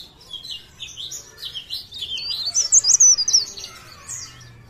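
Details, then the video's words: Leaf warbler from Pare Pare singing: fast high-pitched twittering that builds to a loud run of sharp squeaky notes near the middle, then softens, with a faint low hum underneath. "CIKRAK DAUN | PARE PARE | BLERENG GACOR❗"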